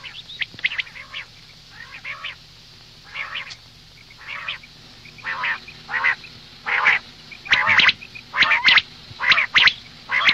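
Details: Female common quail morning calls. Soft, nasal, stacked notes repeat about once a second and grow louder and harsher toward the end, with light high pips in the background.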